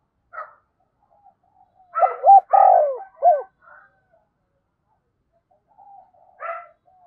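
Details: Spotted dove used as a decoy, challenge-calling in the thổ voice style: one phrase of three loud mellow coos, the middle long, with a brief lead-in note, then silence and a single soft note.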